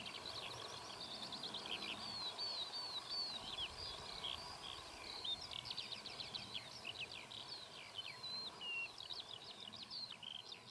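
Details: Eurasian skylarks on a very hot day, perched low on poles watching over their territory: a continuous, rapid, high warbling stream of trilled and twittering notes with slurred whistles, over steady background noise.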